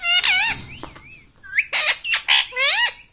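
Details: Pet parrot in a room speaking "mummy": a long harmonic nasal syllable, a soft wavering whistle, then a rapid series of four or five loud, harsh, voice-like bursts.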